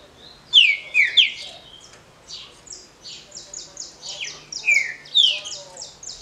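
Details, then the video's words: Short smooth Paraná-style song of a green-winged saltator, a competition song: two bursts of bright, downslurred whistles about four seconds apart, over steady high chips and twitters from other birds. "TRINCA FERRO DE CANTO CURTO LISO PARANÁ (CANTO PRA RODA)"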